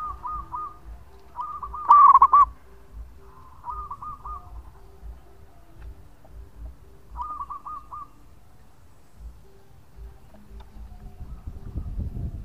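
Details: Local zebra dove with a long song, played as a lure: one loud burst of rapid rolling coos amid several softer, more distant coo phrases, with faint low hum and rustling toward the end.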